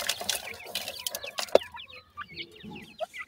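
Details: Baby francolins in summer: a brief passage of dry tapping and rustling, then several short, high, clipped peeps in quick succession, some upslurred, from more than one chick.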